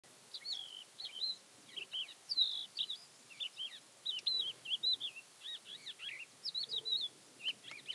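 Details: Thekla's lark (Galerida theklae) singing near Castro Verde, Alentejo, Portugal, on 12 April 2017: a continuous jumble of short whistled, slurred and buzzy notes, rising and falling, delivered in quick bursts with brief gaps.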